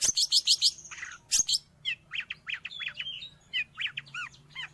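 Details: Long-tailed shrike song for training caged birds or luring wild ones: opens with loud harsh high bursts, then a run of short rising-and-falling chirps and slurred whistles repeated in quick succession.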